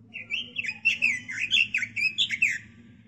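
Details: Robin kept in captivity, recorded as master song for other birds to learn: about a dozen quick, varied warbled notes run together in a three-second cheerful phrase, low hum underneath.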